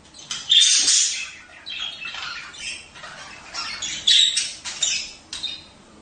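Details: Mating-season budgerigar chatter for prompting pairs to breed; loud harsh squawks burst out at about half a second and again past four seconds, linked by softer rasping warbles and chirps.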